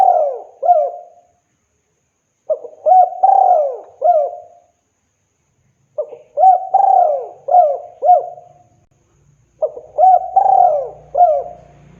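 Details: Javanese spotted dove calling for a female, repeating a phrase of several soft hooting coos with a drawn-out falling note, the phrase returning about every three and a half seconds in a quiet setting.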